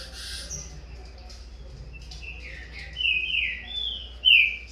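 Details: Captive Green-winged Saltator chick of corvo x fogueira stock in a song contest with its father; after a quiet start, a few loud whistled notes slur downward, ending in one sharp bright phrase.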